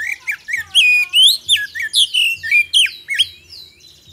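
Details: Oriental magpie-robin (kacer) singing vigorously, used as a lure to prompt quick responses from other birds: a rapid, varied run of clear whistles, slurred upward sweeps and harsher squawky notes, with a low rhythmic hum pulsing beneath.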